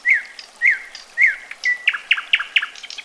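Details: Nightingale song opens with three slow, swelling whistles that bend down, then a long flat note and a brisk series of clear, chopped notes rising in tempo.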